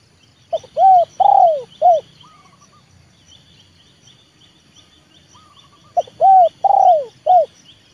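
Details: A trained leopard spotted dove used as a lure to bring wild birds down to the yard gives two four-part coo phrases with a pause between them. The long third note slurs downward. Faint high chirps sound above the coos.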